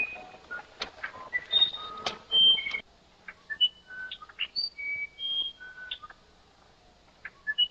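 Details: Musician wren, called uirapuru, in the Amazon forest of Brazil: pure, flute-like whistled notes at varied pitches, each held briefly and spaced irregularly, like a slow melody, with some clicking and rustling noise in the first seconds.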